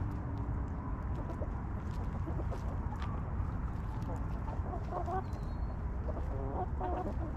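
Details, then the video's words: Backyard hens settled in their coop; a few scattered short clucks come late, over constant low background rumble. "Hens Clucking!"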